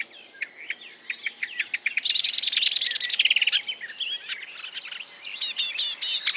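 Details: Imitating other birds, a marsh warbler starts with spaced, thin notes, bursts into a fast, loud rattling trill, then adds scattered high, sharp whistles.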